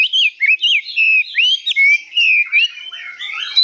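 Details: Caged hwamei, newly acquired and 85% tame, pours out high, long phrases of clear, sliding whistles, some rising, others drawn out and wavering, in a lively continuous stream.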